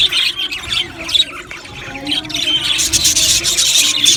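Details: Aviary colony of budgerigar parakeets: bright, quick chirps and short whistled squeaks from several birds, thinner at first, then swelling into continuous busy chattering.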